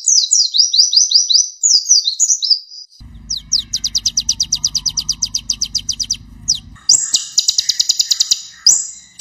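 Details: Van Hasselt's sunbird, singing actively and used as a training recording for young songbirds, gives a rapid, very high, thin song of sharp chittering and tinkling notes in quick runs, with a low mechanical hum in the middle.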